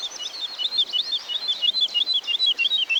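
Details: Woodlark singing in the forest of Wielkopolska National Park, Poland: rapid series of liquid, slightly descending whistled notes, evenly spaced at about three per second, with a faint rural background.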